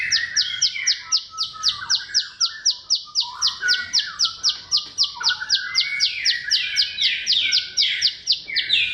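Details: Bar-winged prinia song used as a lure to stir silent birds: sharp, high downslurred notes repeated about four times a second, steady and insistent, over lower twittering warbles of other birdsong underneath.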